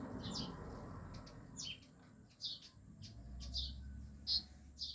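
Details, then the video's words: Bright, high chirps from yellow birds kept at home, repeated roughly every half to one second, some with a twittering double note, over a low steady hum. "sound of beautiful yellow birds"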